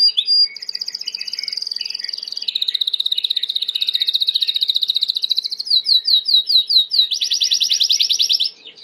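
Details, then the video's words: Timbrado canary, a white bird, singing for training: loud, fast metallic rolling trills that shift pitch and speed, ending in a rapid rising-falling tour, with no other sounds. "Chant de Canari timbrado / the wonderful sounds of canary bird chirping / canario timbrado cantando"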